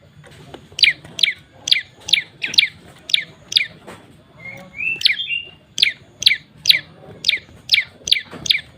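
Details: Repeated prinia call used as a lure: a run of sharp, high, falling chirps about twice a second, interrupted midway by a brief warbling phrase, then resuming at the same pace, with low background hum.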